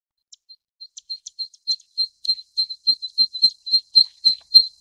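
Zitting Cisticola giving a run of sharp, high 'zit' notes, about three or four a second, growing louder and slightly quicker toward the end.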